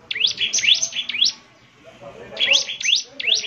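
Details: Singing bar-winged prinia: bright rising sweeping notes in two short bursts with a brief gap between, over a low background hum.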